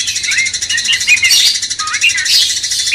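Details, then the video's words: Master recording of a cucak cungkok bulbul meant to stir a magpie-robin: quick run of short warbled, bubbling whistles, irregularly spaced, set against constant high-pitched noisy chatter. "Masteran cucak cungkok bangkitkan emosi kacer"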